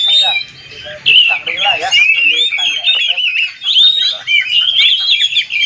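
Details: Oriental magpie-robin song meant to provoke other magpie-robins to sing: continuous loud warbling, rolling whistled phrases and slurred notes with no pauses, some low background sounds.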